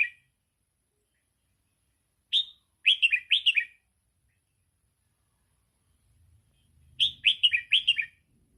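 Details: Red-whiskered bulbul singing, meant for training young birds: brisk runs of liquid whistled notes in two main phrases a few seconds apart, with a soft low rumble underneath the second phrase.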